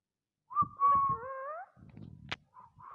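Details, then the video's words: Pet parrot producing a clear whistled note that slides slightly upward, followed by soft low murmurs, a sharp click and short faint whistles indoors. "My Parrot is making some amazing sounds"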